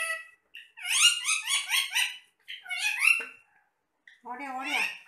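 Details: Parrots talking during an apple meal, voices in long stacked warbling bursts of rapid up-and-down syllables, broken by short gaps, then a lower chattering phrase at the close.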